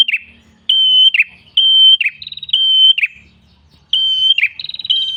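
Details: Red-headed prenjak tailorbird in a steady flowing lure song: clear high whistles, each ending in a quick buzzy slur, repeated about once a second, some trilled notes added, with quiet low background sounds.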